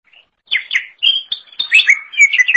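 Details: Cucak ijo, the green leafbird, in lively song for training songbirds: a short, fast mix of clear whistles and slurred chirps, rising and falling in quick succession.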